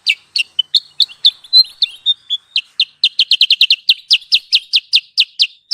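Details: Sooty-headed bulbul (kutilang sutra) lure call for trapping: high chirps mixed with short whistled notes, building into a rapid, regular string of sharp repeated notes.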